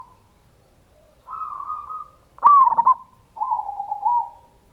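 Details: Local zebra dove (perkutut) singing a lure song meant to provoke other doves to sing, in ngayer kerot nutut style: a mellow coo, then a loud, sharply struck trilled phrase, then a softer wavering coo, in quiet surroundings.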